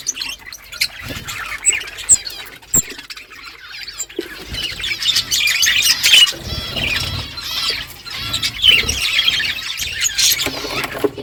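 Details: A morning flock of budgerigars talking to one another, with scattered clicks and flutters early, then building into continuous overlapping chirping and warbled chatter.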